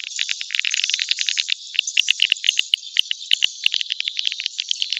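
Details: Lure recording of swiftlets for attracting them to a nest building: dense twittering at first, then irregular bright chirps spaced a few per second over faint background chatter.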